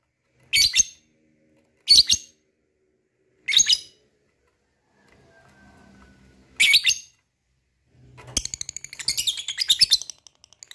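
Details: Lovebird calling to provoke other lovebirds to sing: four separate harsh, high squawks at irregular intervals, followed by a burst of fast, squeaky chattering near the end.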